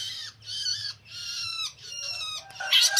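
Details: Long-tailed shrike (cendet) delivering drawn-out, rich harmonic notes in three long phrases with brief gaps, sounding nasal and slightly squealing, ending in a louder scratchy burst; faint low hum underneath.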